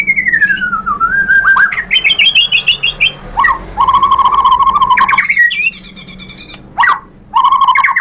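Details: White-rumped shama song with long falling whistles, trilled phrases and steady mid-pitched held notes, interspersed with sharp upslurred chips.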